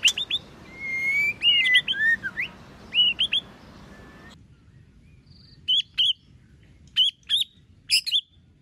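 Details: Competition song of a white-rumped shama, many voices: a rich run of fluting slurred whistles and buzzy notes, then after an abrupt cut short bursts of clicks and whistles spaced about a second apart in quieter surroundings.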